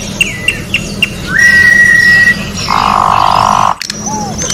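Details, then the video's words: Orange-backed troupial in nature: a few short whistled notes, then a long level whistle, followed by a loud sustained buzzy rasp and a soft final slur, with low humming behind. "Corrupião Cantando na Natureza melhor canto pra encarte Corrupião"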